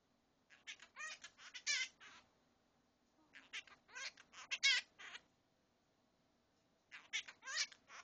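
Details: A pet monk (quaker) parakeet talks in three raspy, high, scratchy speech-like bursts a few seconds apart, saying "I'll be a good birdie till mommy and daddy get home".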